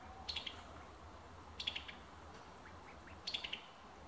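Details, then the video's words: Alabama summer tanager uttering sharp, rapid three- to four-note clicky call groups, repeated about every one and a half seconds, against faint steady hiss. "Beautiful Summer Tanager Songs"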